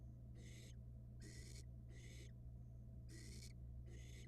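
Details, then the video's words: Nestling barn owl in a Florida nest box, swallowing a rat super fast, gives four or five short, grating hisses in quick succession, with brief pauses between them, over a low steady hum. "Barn owl nestling has this "DOWN": Swallows rat super fast"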